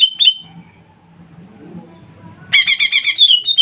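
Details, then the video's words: Greater green leafbird lure song to trigger singing in kuningan and ombyokan leafbirds: two short whistles, a stretch of faint low background hum, then a rapid buzzy rattling trill of repeated notes. "PANCINGAN CUCAK IJO OMBYOKAN // CUCAK IJO KUNINGAN & OMBYOKAN LANGSUNG BUNYI DENGAN SUARA INI ."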